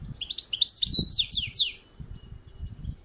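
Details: European goldfinch (saka kuşu) on a balcony in a quick, dense phrase of high twittering and tinkling notes, slurred and liquid, lasting under two seconds, followed by quiet low-level background rumble.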